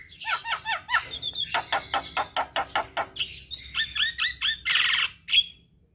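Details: Javan myna singing: slurred falling whistles, then a steady series of rasping chattered notes, ending in a buzzy, hissing squawk. Played to stressed mynas that have stopped singing, mornings and evenings.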